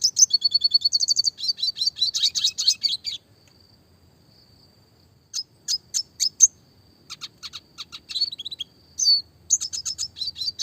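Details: Classic red siskin recorded for small-bird training: a fast repeated trill of high notes, chattering buzzy phrases, a pause, then scattered sharp chips and short twitters.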